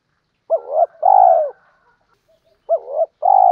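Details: Spotted dove lure cooing used for training, with male and female birds included: two mellow coo phrases, each a short rising-falling note followed by a longer, steadier hooting coo, separated by a pause of about a second.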